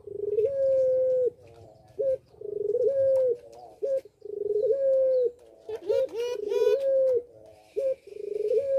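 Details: Caged puter pelung dove in breeding condition, cooing persistently: low, even coos repeated in bursts of about a second, each ending with a short clipped note, with a rooster crowing briefly partway through.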